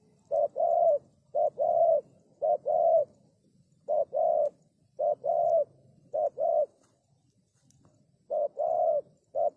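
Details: Spotted dove calling as a lure bird, giving a run of soft mellow coos in short-long pairs, repeated about once a second with a brief pause near the end; quiet low rumble underneath.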